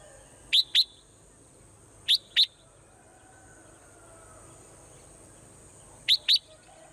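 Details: Swallow calling at morning time: pairs of quick, high whistled chips, each pair repeated every two seconds or so, with soft background noise between them.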